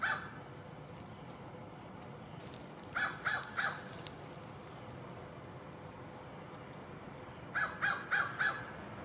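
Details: Crow calls recorded outdoors on a Panasonic DC-FZ80: two bursts of three to four harsh, evenly spaced caws several seconds apart, with a faint call at the start and constant background rumble between.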